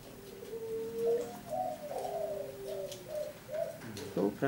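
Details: Farm-bred local Javanese zebra dove, 'kuk 3' song style, delivering a low drawn-out note followed by a string of rapid rolling coos, ending with a loud clatter of noise.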